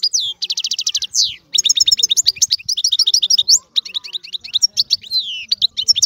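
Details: European goldfinch song, a continuous, fast, twittering medley of bright trills, buzzy rattles and sweeping chirps with only brief breaks.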